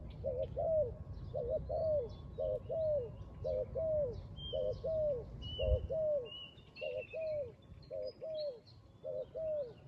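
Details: Spotted dove near a trap, cooing in a steady series of paired coos, each pair a quick low note followed by a slurred falling coo, repeated roughly every second; faint high bird whistles and low rumble behind.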